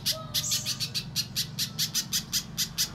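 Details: Little spiderhunter lure recording used to make captive birds start singing: sharp high chips repeated about four times a second in a steady run, over a low constant hum.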